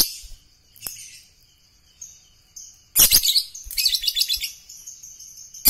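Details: Contest-training lovebird: short high chirps at first, then a dense, rapid, buzzy chatter of shrill notes for about two seconds before tailing off into sparse calls.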